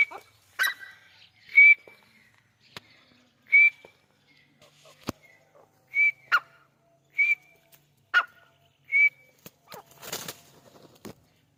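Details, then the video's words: Grey francolin (Dakhni teetar) in its natural habitat in Pakistan giving short, shrill, upslurred whistles every one to two seconds, mixed with sharp clicks and a brief rustling burst near the end. "Dakhni Teetar | Teetar Ki Awaz | Teetar Sound | Teetar Voice"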